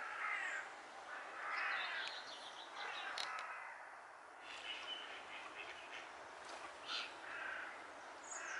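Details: Mallards in courtship display give a few rough quacking calls, then softer scattered calls, with brief high chirps from other birds and steady ambient noise.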